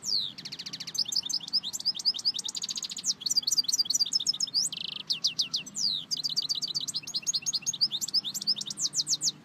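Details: Song of the European goldfinch, meant for teaching goldfinches: lively, tinkling twitters alternating with short nasal buzzy trills and swooping notes, delivered almost without pause over nine seconds against a faint steady hum.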